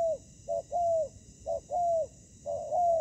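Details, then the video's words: Spotted dove used as a ground decoy against wild fighting birds: three phrases, each a short hollow note then a drawn-out coo that slides gently downward, spaced about a second apart, against near silence. "Bẫy cu gáy mồi đất : Tuyển tập Mồi cùi bắp gặp Bổi trận của năm"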